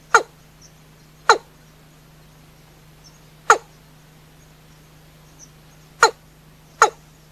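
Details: Watercock heard at night giving five short, sharp downward-sliding notes at uneven intervals, against a constant low hum in the background.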